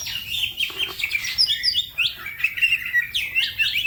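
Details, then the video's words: Green leafbird (cucak ijo) in quick, varied song used to excite other songbirds; chirps and clear whistles sliding up and down, packed into short lively phrases. "The green cucak bird makes noise, other birds also become gacor"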